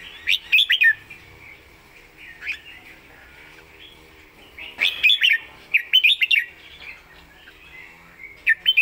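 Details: Red-whiskered bulbul singing, kept caged: repeated bursts of quick, bright warbled notes against a steady low hum, phrases coming every second or two.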